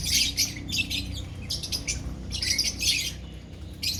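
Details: Colony of lovebirds calling together: harsh, high squawks and chirps in rapid overlapping bursts with brief gaps, a low hum underneath.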